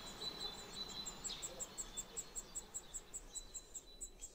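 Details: Black redstart chicks begging for food in a nest about 1.5 m up under a veranda eave of a country house. They give very high, thin peeps in a fast, steady series, several each second, over soft hiss.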